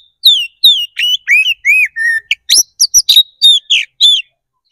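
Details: Caged white-rumped shama in fighting song, played to provoke and rouse other shamas; loud clear whistled notes rising and falling, then rapid harsh chattering bursts and sweeping whistles, about a dozen phrases in quick succession.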